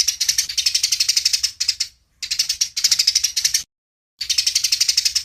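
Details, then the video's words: Fighting Eurasian tree sparrows, cleanly recorded, pouring out bursts of rapid, scratchy high-pitched chirps about eight per second, in three runs of one to two seconds separated by short silences. "Suara Masteran Burung Gereja Tarung Suara Jernih"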